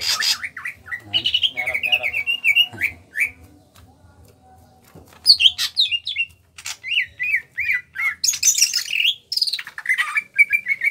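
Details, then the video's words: Small-bodied Kalimantan greater green leafbird singing energetically in ngentrok style. Slurred whistled notes repeat in runs, mixed with harsh squawky bursts and high chattering phrases. A quieter gap falls midway, over soft low background pulses. "Cucak Ijo Kalimantan Gacor NGENTROK"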